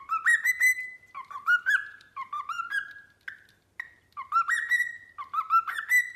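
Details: Pet cockatiel whistling repeated phrases that climb in pitch and end on a held note, the pattern recurring about once a second with brief pauses.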